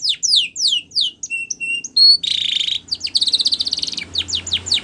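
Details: Canary singing a training song: downslurred notes, then pure steady whistled tones, a harsh buzzy roll, and fast trilled phrases.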